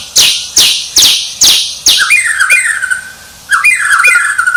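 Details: White-rumped shama described as a champion songbird: four harsh, rasping bursts about half a second apart, then clear whistled notes that slide downward and hold, with a short pause before another sliding whistle phrase.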